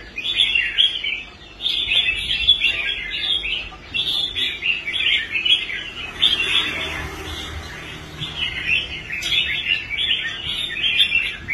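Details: Rehabilitated caged red-whiskered bulbul singing on the competition stand: short bright warbled bursts of bubbly notes, one every second or so, with brief gaps and faint hiss behind.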